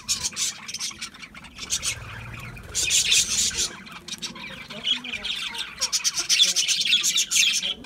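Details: Budgies eating mixed seed, with repeated bursts of grating squawks and chirps, several bright outbursts in quick succession, and faint low sounds beneath.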